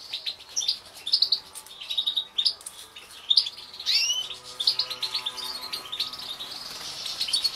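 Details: Captive-bred mutation European goldfinches from the 2016 breeding season, singing a lively twittering song of rapid high chirps and short trills, with brief upslurred whistles scattered throughout and no other clear sounds.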